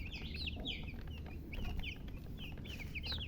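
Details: Chicks peeping in quick bursts: sharp, high, falling chirps come in clusters of two or three with brief gaps, a low rumbling background underneath.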